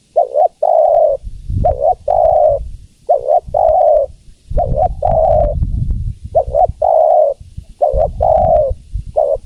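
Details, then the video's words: Female spotted dove calling to attract the male: a rapid double note then a sustained low coo, repeated many times, over a persistent low rumbling or thumping background. "Suara Tekukur Betina Memanggil Jantan"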